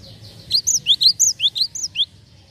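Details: Lure recording of a Java sparrow to attract other birds: a tight series of roughly ten sharp, high, slurred chirps packed into one and a half seconds, with soft low hum underneath.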